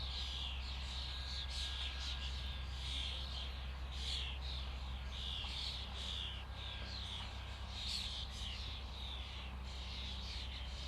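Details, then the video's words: A common starling flock chatters steadily, many short whistles and chirps overlapping in quick pulses, over a strong continuous low hum. "Flock of starlings/ Stado szpaków/ Ein Schwarm Stare"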